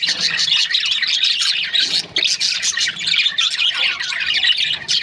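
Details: Budgerigars kept as breeding pairs, many voices chirping and warbling at once in busy, scratchy chatter that dips briefly near the middle.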